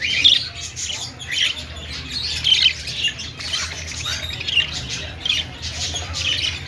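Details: Budgies in a pet-store aviary give sharp squawks and chirps in loose bursts. The flock chatters continuously over a faint low hum.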